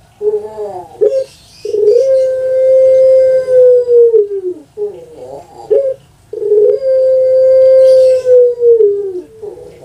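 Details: Two full long-voice phrases from a captive puter pelung dove in Indonesia. Each has a quick rising intro, then a steady hum-like coo held for about two seconds, then a downward slide and pulsed tail.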